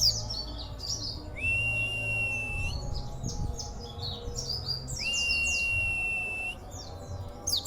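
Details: Caged local Oriental white-eye, a constant singer with rare, odd song bursts: clusters of high, stuttering chirps broken twice by long, level, thin whistles lasting over a second each.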